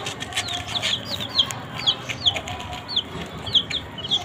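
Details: A baby chick among a brood eating green leaves utters clear, separate high peeps that slide downward, roughly two or three a second, over quiet background noise.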